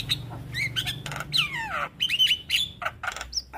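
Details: Javan myna master song for training young mynas: a long descending slurred whistle amid harsh rasps, short chatters and bright clipped whistled notes.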